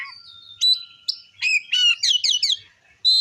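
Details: Oriental magpie-robin singing to stir up other magpie-robins: a steady whistle, then sharp rising notes and a burst of rapid chattering, downslurred phrases, ending on a loud high whistle.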